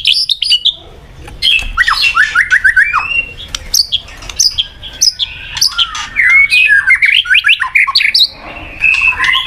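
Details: Varied, energetic white-rumped shama song: rapid jumbled phrases of short slurred notes, chattering bursts and high squeaks with brief pauses between phrases.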